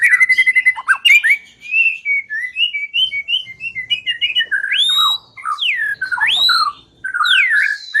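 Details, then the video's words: White-rumped shama lure song for making a quiet bird sing: a rapid trill opens, followed by clear whistled notes and long rising and falling sweeps, with loud phrases separated by brief gaps. "Pikat Murai Batu Dengan PANCINGAN GACOR Ini Di Jamin Macet Langsung Bunyi"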